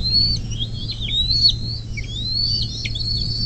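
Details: Nest-camera recording of a bald eagle near South Lebanon, Ohio, on 24 May 2024 at about 10:12; quick, high squeaky whistled notes tumbling in a continuous chatter, with a constant low electrical hum beneath.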